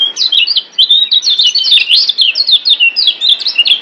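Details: Master recording of the kecial kuning white-eye from Lombok, used to prompt caged birds to sing: a continuous fast string of sharp, high, zigzag chirps, bright and tightly spaced throughout.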